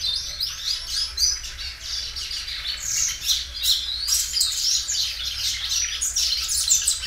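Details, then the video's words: Belgian canary singing loudly and drawing out its song: continuous high chirps, rolled trills and short whistled notes repeated rapidly over a faint low background hum. "canário belga dobrando o canto."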